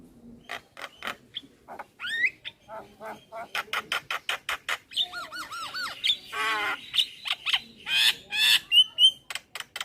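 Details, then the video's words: A male Javan myna calls its companions, meant as a lure. Its lively chatter has rapid clicks, arched harmonic notes, rising whistles and harsh squawks, packed several per second. "Burung Jalak Kebo Jantan Gacor Memanggil Teman Cocok Untuk pancingan jalak Pikatan"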